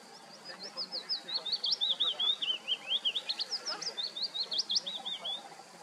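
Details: Willow warbler in a nature reserve singing soft, sweet, high notes that run down the scale in a gentle cadence, twice in quick succession, over a faint background hiss.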